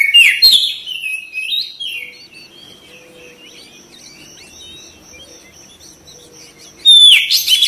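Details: Oriental magpie-robin song for therapy to provoke fast response and tail spreading. A burst of varied whistles opens, then a long quiet stretch with a faint steady high tone, before another loud phrase at the end.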